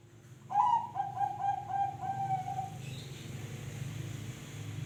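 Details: Zebra dove cooing, a quick string of clipped mellow notes at a steady pitch ending in a sustained coo, over a low steady background hum.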